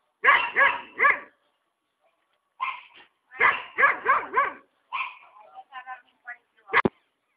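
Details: A free-living hyacinth macaw at Ilha Solteira on the Paraná River gives harsh, nasal squawks in quick bursts of three and four, then softer, varied chatter and a sharp click at the end.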